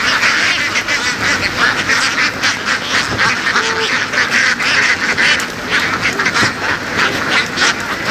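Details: Free-ranging laying ducks herded in the fields of western Vietnam; a noisy crowd of rasping quacks pulses unevenly, louder bursts rising above the constant babble, a short tonal squeak heard near the middle.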